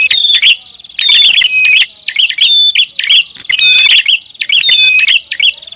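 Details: Busy prinia luring sound: bright, repeated chirps and quick warbled twitters in short bursts about every second, loud and close, with a high whistled tone beneath.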